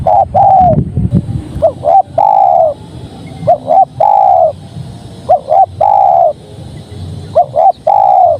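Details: Spotted dove singing: soft low coos in repeated phrases of two short rising notes followed by a long, slightly falling coo, about every two seconds, with a brief rumbling noise near the start.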